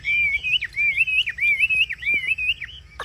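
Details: Caged Chinese hwamei singing ngũ trường style song, a loud, fluid warble of wavering whistled notes repeated in quick looping phrases, with a few dipping slurs between them.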